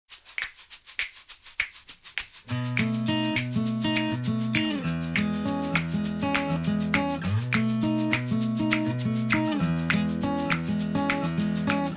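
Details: Rhythmic music with shaken percussion opening into steady bass and plucked strings; no animal sounds are heard.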